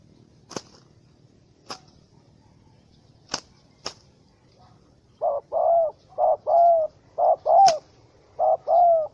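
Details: Angry wild spotted dove (Spilopelia chinensis) caught in a small rope trap, 04/07/2017: four sharp clicks in the first half, then rapid paired coos, a short note and a longer bowed coo, repeated four times.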